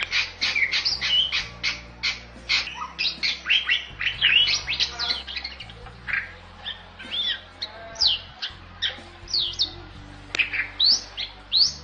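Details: Bali starling singing a quick run of sharp chirps that slows into looping rising whistles, loud and continuous, with a low steady hum underneath.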